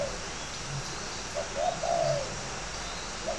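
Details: Spotted dove, a fighting-type bird kept at a bird farm in Ba Vì district, Hanoi, northern Vietnam, giving a short soft coo and then a longer descending cooing phrase, with another note starting at the end over steady background hiss.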